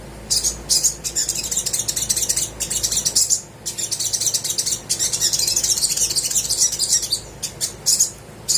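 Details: Little spiderhunter singing energetically to spur lazy birds: long stretches of dense, high, scratchy twittering broken by brief pauses, with a few isolated sharp chirps.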